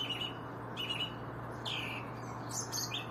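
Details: Songbird chirping in short bright notes, a few sliding downward, separated by pauses, with a constant low electrical hum underneath.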